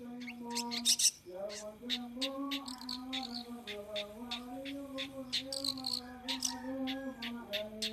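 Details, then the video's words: Kept long-tailed shrike cared for by a novice owner, singing in ngriwik style: dense runs of sharp, chattering high notes and clipped chirps repeated across the clip over continuous sustained background music. "Pentet bagong ngriwik jozzz"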